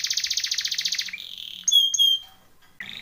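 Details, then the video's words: Timbrado canary training song: a fast, even rattling trill of rapid pulses for about a second, then a smooth held tone and bright, pure whistled notes sliding downward before a brief closing phrase. "TIMBRADO canary singing / canto Canario cantando / canary training song"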